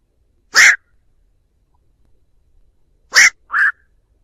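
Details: A black-crowned night heron gives its flock-summoning call, recorded as a trap lure: one harsh, broad croak, a long pause, then a second croak quickly followed by a shorter nasal bark, on a quiet background.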